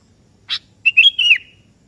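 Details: Sooty-headed bulbul (kutilang kebo) summoning a rival that answers: a brief harsh buzzy note followed by a rich fluted warble ending in a falling slur.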